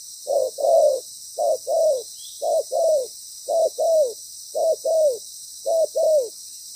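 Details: Spotted dove serving as a decoy during trapping, with a strong voice, repeating a two-part coo, a brief note then a longer one sliding down, about every second, steady hiss in the background.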